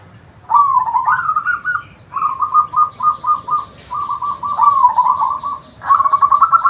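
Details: Local zebra dove giving its natural voice, suited for luring: several rapid phrases of soft, bubbling coo notes, some rising at the start, others beaded and even, with brief pauses between bursts.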